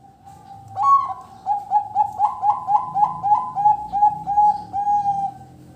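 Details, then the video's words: Zebra dove singing steadily in the 'fales' and 'noklak' song styles: one long soft note breaks into a rhythmic run of about a dozen quick, bubbling cooing pulses, evenly paced, over low background rumble. "Perkutut gacor suara fales dan noklak"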